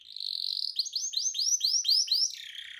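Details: Canary singing a long, unusual, elaborate song used as a master recording to train caged birds: a steady buzzy trill, then a run of repeated downward-swept whistled notes, ending in a lower rattling phrase.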